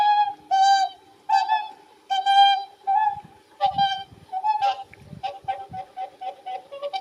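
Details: Whooper Swans at Lake Izunuma, a lake where Greater White-fronted Geese are also heard: long ringing trumpet-like honks, then a quicker run of shorter, higher overlapping calls from a flock, with faint low rumbling beneath.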